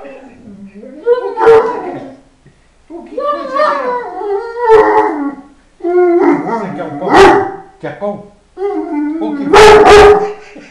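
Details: A Fila Brasileiro in an unexpected attack gives four drawn-out, tonal barking bouts, each with a sharp snap.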